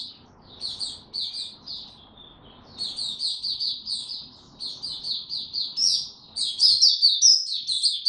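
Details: In warm, humid weather a caged white-eye sings: a hesitant start of scattered high chirps, then a fast, rolling stream of thin twittering notes growing louder and richer toward the end.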